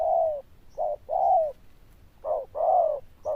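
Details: Loud bell-voiced Zebra dove with a good cooing style, uttering mellow coos that slide down at the end, in short-long groups separated by brief pauses.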